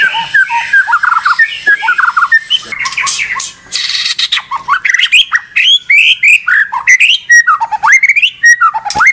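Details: White-rumped shama in a cage singing nonstop and agitated, harsh scratchy chatter giving way to loud rising whistles, clicks and rapid varied phrases.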